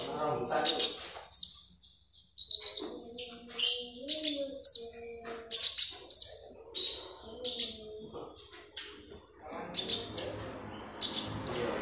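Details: Oriental magpie-robin in full, active song, used as a lure and tutor sound for training birds: dense bursts of sharp, high chirps and trills with short pauses, with a few lower warbled notes mixed in.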